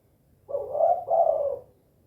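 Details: Spotted dove (tekukur), 'kuk 2' calling style, a single loud hoarse coo split into two joined notes.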